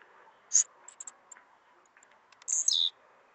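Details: Blue-black grassquit (tiziu) singing a lot: a sharp, very high note, then after a pause a short buzzy phrase sliding downward, with a few faint high ticks between and a soft background hiss.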